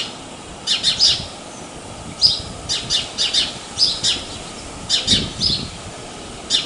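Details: House sparrows in Praia de Pipa, northeastern Brazil, calling with scattered sharp, squawky chirps in small clusters, set against a steady rushing background.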